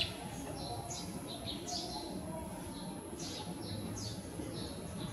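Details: Grey-streaked flycatcher seen up close: thin, high, short chirps scattered irregularly over a few seconds, over a low rumble of background noise and a steady faint whine.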